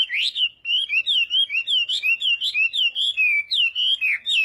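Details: Chinese hwamei singing in the morning as voice practice, a loud run of whistled notes, each slurring up and down, repeated in quick succession with a few higher sharp notes above.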